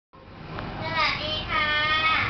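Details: A talking female common hill myna kept at a restaurant says hello and calls a name, in a clear, harmonic, voice-like tone, with two short speech-like phrases rising and falling over a light hiss.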